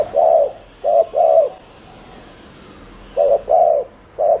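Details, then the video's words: Spotted dove decoy giving fast 'gù' cooing used to lure wild doves: low, mellow hooting coos in short groups of two and three, separated by a pause of nearly two seconds. "Chim cu gáy GÙ ( bo ) TỐC ĐỘ kích bổi,cu gáy mồi cây"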